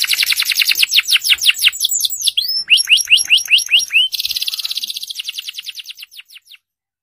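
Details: Loud, energetic canary singing, played to stimulate silent canaries into song: dense fast trill of high downward strokes, a short series of hooked whistled notes, then a buzzy rapid rattle that fades out.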